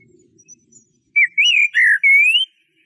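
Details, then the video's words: After a faint low rustle, a Eurasian blackbird gives one warbling phrase of four fluty parts, ending in a long rising whistle. "تغريد طائر شحرور (جحمومية)Merle noir"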